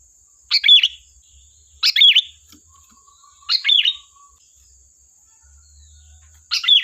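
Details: Sooty-headed bulbul song used to lure birds: four bright phrases of quick notes ending in a clear whistle, about every one and a half seconds, with a soft low hum and faint high hiss.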